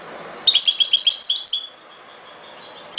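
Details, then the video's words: A European goldfinch delivers a fast, liquid twittering phrase of high chirps and trills lasting over a second, followed by quiet, and then the start of another burst at the end. "غناء جميل لطائر الحسون chante du chardonneret"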